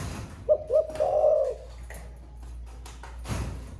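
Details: Spotted dove, a captive bird with the thổ pha song style, recently in song and singing all day: two brief coos, then a longer vibrating coo, followed by soft thuds and room hum.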